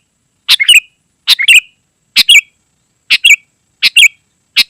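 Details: Sooty-headed bulbul singing continuously, offered as a lure for wild forest birds and a tutor for caged ones: harsh, squawky two-part phrases repeated about every 0.9 seconds, each ending in a higher whistled note. No other sounds.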